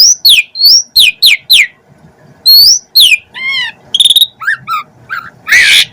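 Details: Varied song of an Asian pied starling: falling whistles in rapid series, a rising slurred whistle, chattering buzzy notes, then a harsh rasping burst near the end.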